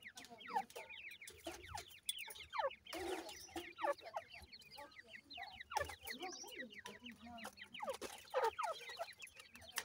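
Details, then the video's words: Teetar francolin family in a new season with young chicks; a dense chorus of high, quick peeping notes from many chicks runs throughout, with scattered clucks and short noisy bursts. "pheasant teetar bird new season new chicks"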